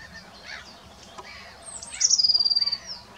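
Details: Great crested grebe at Ammersee on 30 April 2018: after faint background sounds, a thin, high, falling whistle runs straight into a fast, evenly pulsed, high trill lasting under a second.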